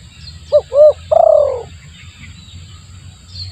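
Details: Single phrase from a spotted dove used as a lure: two brief soft coos, then one longer, slightly descending coo, followed by quiet with a low background hum.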